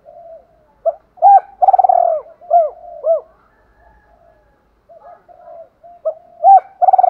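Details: Captive decoy spotted dove calling to lure and challenge rival males; clipped rising-falling coos and a drawn-out, throbbing, pulsed coo, a quiet pause, then another burst of coos ending in a vibrating note.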